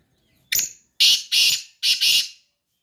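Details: A black francolin calling in the morning gives a short clipped note, then four loud, harsh, grating notes in two quick pairs, over about two seconds.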